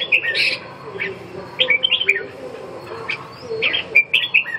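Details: Red-whiskered bulbul giving clear ringing whistles and short slurred chirps in loose clusters, some notes sweeping up then down, with a soft low murmur throughout.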